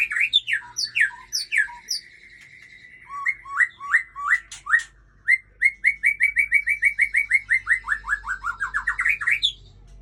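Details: White-rumped shama song, from a bird called Murai Aceh: loud varied whistles, a run of short repeated downslurred notes, then a long series of rapid rising and falling whistled notes, with faint low hum.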